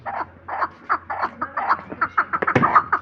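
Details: Chukar kept as a hunting partridge gives a run of short, hoarse clucking notes, about three per second, with a steady low hum behind.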